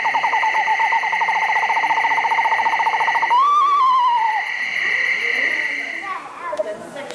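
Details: Taped Eastern Screech Owl sounds played to a crowd. A long even monotone trill is followed by a rising then falling mournful whinny, a steady high pitched tone runs throughout, and faint audience noise comes at the end.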